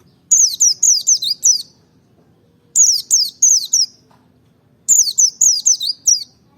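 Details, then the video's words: Three separate bursts of thin, rapidly repeated down-slurred chirps from a Merapi ngalas white-eye, each burst lasting over a second with short pauses between, played to goad other white-eyes into singing. "pancing emosi pleci merapi ngalas dobel buka paruh 100℅ ikut bunyi"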